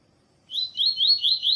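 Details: A Double-collared Seedeater (coleiro tui tui, Sporophila caerulescens), with a female calling, used to excite males, gives quick, high, slurred notes repeated about four times a second, each sweeping up then down.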